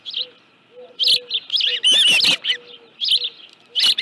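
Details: Osprey at a ranch nest with a live fish, sharp high chirping calls in short bursts about every half second, with wing flaps and clattering sounds in the middle.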